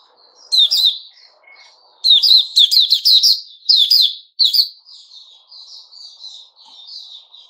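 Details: White-rumped shama (Puteh Raja) giving 'buka' song on 29 August 2021: a bright whistled phrase, then a fast run of sharp, ringing notes, trailing into gentle murmured warbling.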